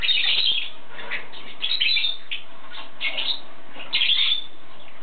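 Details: Yellow-sided conure uttering rough, raspy chatter in repeated bursts, loudest at the opening and again near the four-second mark, with quieter scratchy notes between them. A faint steady hum sits underneath.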